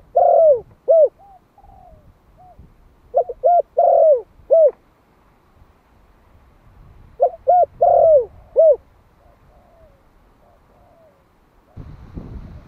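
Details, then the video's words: A one-year-old Malai-strain spotted dove calls to entice wild doves. It repeats the same mellow coo phrase three times, a few seconds apart: quick paired hoots, a long falling coo and a short closing note. Fainter trailing coos come between phrases, with a rumble at the end. "Tiếng chim cu gáy Malai kích bổi - Thanh niên Malai 1 năm tuổi gáy gọi nghe giọng quá phê."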